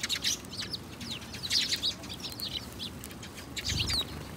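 House sparrows chirping in a busy, overlapping chatter of short, bright notes, several birds calling at once, with faint low background rumble.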